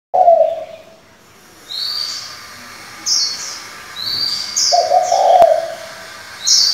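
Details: Decoy spotted dove switching between many call voices, used to lure wild doves and train young birds; two low, hoarse coos about five seconds apart, with bright high chirps of small birds between them.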